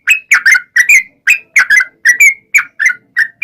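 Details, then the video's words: Sooty-headed bulbul singing as a lure to set other bulbuls singing: a lively sequence of bubbly chirps and short rising whistles, often in pairs, coming quickly with brief gaps between. "SUARA trucukan gacor ROPEL PANJANG pancingan trucukan agar bunyi"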